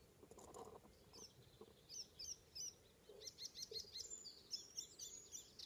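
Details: Morning song of an Icterine warbler, Ameland, Netherlands, 19 May 2016: a fast, chattering series of high piercing notes and short whistles, growing denser and more repetitive toward the end, with low background noise.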